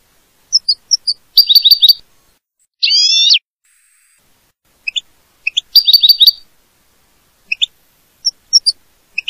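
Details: Goldfinch song from a CD: scattered thin high tweets, two dense chattering bursts of rapid notes, and a loud buzzy trill in between, over an otherwise silent background.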